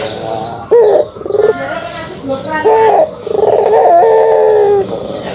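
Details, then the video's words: Kugeruk call of a pelung dove: several short, low, rolling coos with abrupt starts, followed by a longer sustained purring coo that gently falls in pitch at its end. "suara kugeruk burung puter pelung"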